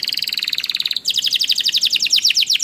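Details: Canary song used as a lure to get other canaries singing: a fast, even trill of repeated notes, then a sudden switch to a higher, quicker run of sharp chirps.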